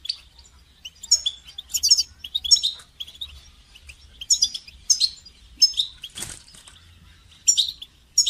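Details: Extended goldfinch song for songbird training, repeated bursts of high twittering and buzzy chirps with short gaps, plus one brief broadband rustle or flutter midway.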